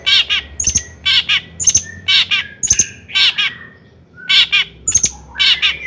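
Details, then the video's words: Long-tailed shrike song meant to provoke shrikes: repeated harsh, squawking double notes about once a second, mixed with short whistles. "kicau CENDET GACOR paling DI CARI cocok UNTUK PANCINGAN CENDET AGAR NAIK EMOSI"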